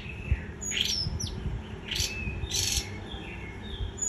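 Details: White-eye with a few quick líu choè phrases: high falling whistles and short raspy bursts, then quieter thin notes trailing off over a low hum.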